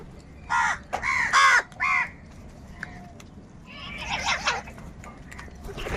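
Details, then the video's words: Crows cawing loudly: four harsh, hoarse caws in quick succession, then a softer, noisier jumble of overlapping calls after a short pause. "Kaka sound and noises of Crow birds | কাকের ডাক Crow Sound Crow ki Awaz"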